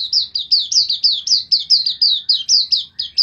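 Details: White-eye, kept for songbird training, delivering a loud, steady run of high, sharp, downslurred chirps, about five per second, each note dropping quickly in pitch, with no other clear sounds.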